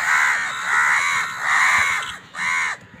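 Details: Harsh drawn-out caws from crows fighting for food, four long rasping cries in three seconds with brief gaps between them.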